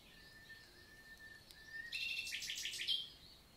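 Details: Common nightingale, Célé valley, Lot, France, summer morning in June 2023: a long, pure, steady low whistle held for about two seconds, then a burst of loud, fast repeated notes rising to a climax.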